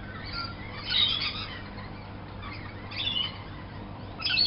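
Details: Lorikeets in a morning wake-up chorus outside a window give harsh, shrill screeching bursts, three of them spaced about one and a half seconds apart, over a low steady hum.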